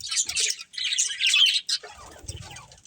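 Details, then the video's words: A breeding budgerigar pair give bursts of high, scratchy chattering chirps that fade to quieter twitters and a soft low rumble toward the end. "Cute Budgies Chirping Sounds"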